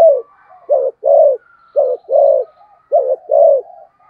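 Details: Spotted dove giving fast, urging coos: low, soft hooting notes in quick groups of a short coo followed by a longer one, repeated three times with brief gaps, in a quiet setting.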